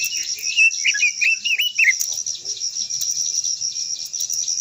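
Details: Long-voiced song of a Japanese white-eye, meant to provoke other birds to sing: a rapid string of sharp, slurred high chirps and twitters in the first two seconds, then only a continuous high-pitched insect buzz.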